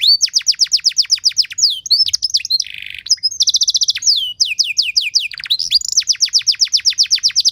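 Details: Canary song used as a tutor recording with fancy variations: long runs of rapid descending whistles broken by low buzzy rolls and a metallic trill, ending in accelerating high chips.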